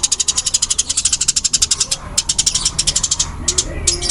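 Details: Fighting-type Eurasian tree sparrow in loud, fast, dense calling: an almost continuous stream of sharp, very high ticking pulses, about ten per second, with brief breaks near the end.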